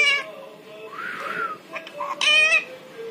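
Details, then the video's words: Parrot mimicking human speech, harmonic squawky syllables at start and end with a rising, falling voice-like tone between, a steady low hum underneath throughout. "इंसानों की आवाज निकालने बाला तोता"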